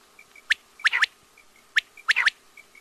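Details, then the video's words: Quail (batair) delivering two quick three-note phrases, each a bright clipped whistle followed by a pair of close-set notes, with faint soft peeps between phrases. "batair ki awaz|quail sounds"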